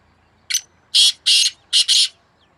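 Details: Harsh call of a black francolin dueling with a second bird, May 2024: a short opening note, then two long, buzzy, grating notes and a closing pair run together, in an otherwise quiet setting.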